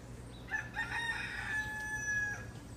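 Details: Rooster on Culebra crowing at first light in the morning, competing to crow louder than other cocks nearby; one drawn-out crow of about two seconds, strained and harmonic, rising then held level before fading, over a low steady hum.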